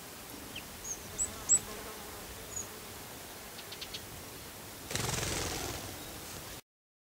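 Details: Hawfinch (Coccothraustes coccothraustes) calls in ZEC Revolcadores, Murcia, Spain: a few sharp, very high ticks spaced irregularly over a couple of seconds, then a burst of wind-like rushing noise.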